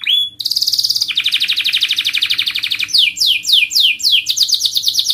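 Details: Canary rolling song opens with a brief high whistled note, then a long, even, rapid trill of tiny repeated notes, which turns into quick, high, down-slurred chirps in a steady run.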